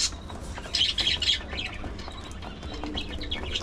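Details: Several pet budgerigars chirping while eating seeds and vegetables: a loud burst of harsh, high chattering early on, then quieter scattered tweets over steady pecking taps.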